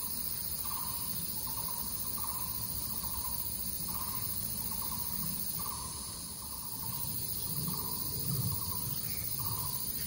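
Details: Zhushan recording of a crested goshawk from 17 September 2018: a run of brief, flat, nasal notes spaced under a second apart, partly masked by continuous insect buzzing and a low hum.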